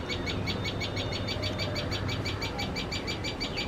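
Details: Common tailorbird calling in alarm, afraid of cats while feeding its chicks: a steady run of sharp, high chipping notes, about two each second, over a low background rumble.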